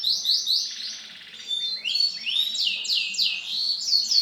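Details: Silver male canary in continuous song: rapid high trill series, a buzzy lower rattle near the start, then bright descending slurred notes repeated in quick succession.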